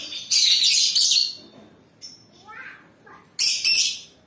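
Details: Lovebird song opening with a long burst of shrill, buzzy chatter, then softer rising chirps and a final loud twittering outburst.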